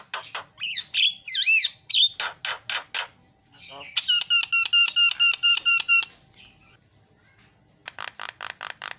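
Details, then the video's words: Javan myna song: rising and falling whistles, a burst of harsh clipped notes, then a fast series of sharp ringing whistled notes, a pause, and more rapid scratchy notes at the end. "JALAK KEBO SUPER GACOR SUARA ISIAN"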